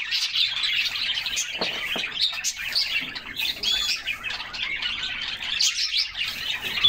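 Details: Bathing canaries in summer, a group singing and chirping together: dense high twitter with quick trills and scattered sharp chirps, interrupted by a few splash sounds.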